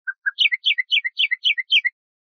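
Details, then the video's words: Song phrase of the common nightingale (Luscinia megarhynchos), assembled as training material for Moroccan bulbuls to learn: two low lead-in notes followed by six quick descending three-note chirp groups, evenly spaced, ending in silence, no other sounds. "شريط تغريد طائر العندليب لتلقين البلبل المغربي CD chant rossignol philomèle pour bulbul des jardins"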